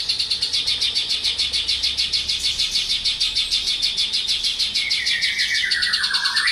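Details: Singing male Javan bush lark pours out rapid high pulsed notes, a continuous buzzy chatter repeated about three times per second, ending with a long whistled note that slides downward.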